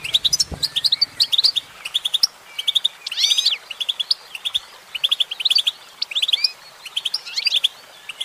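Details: Female goldfinch singing: rapid, bright twittering notes high in pitch, clustered in quick bursts with brief gaps, some sliding buzzy phrases near the middle, against a quiet background with a soft low thump at the start.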